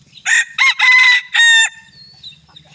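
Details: Close bantam rooster on a hot evening, giving a loud crisp crow of four ringing bursts, the last one longest. Quiet low sounds follow.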